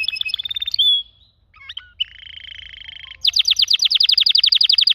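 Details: Canary song mixing short trills, a loud pure whistle, a buzzy sustained trill, and then a loud rapid roll of repeated bright notes, with a faint low hum beneath.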